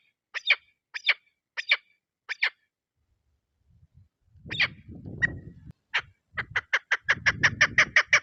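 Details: Female chukar partridge used for hunting: four spaced double notes, then rustling low noise, a few scattered calls, and finally a fast run of clipped chuk notes over a background rumble.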